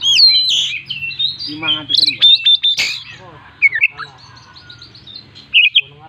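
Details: Oriental magpie-robin giving its characteristic song bursts with imitated fill-ins, for luring other birds: loud swooping whistles, buzzy rasping notes, ringing repeated whistles, then softer scattered chirps and twitters over a low hum.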